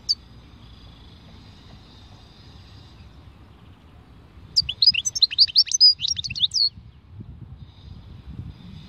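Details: European goldfinch delivering a khalwi song: one rich two-second phrase of fast, tinkling, slightly buzzy high notes, rising and falling, after a lone chirp and a quiet stretch.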